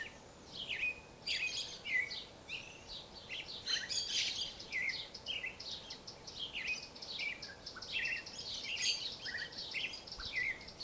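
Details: Creamy-bellied thrush song: a dense, rapid run of varied high chirps, slurred whistles and buzzy notes, phrases tumbling together almost without pause over a steady low background hiss.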